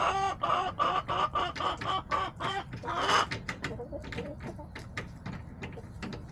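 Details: Backyard hens clucking in October, a run of rapid, evenly spaced nasal clucks about three per second, ending in a louder squawk, then fainter scattered clucks and ticking sounds.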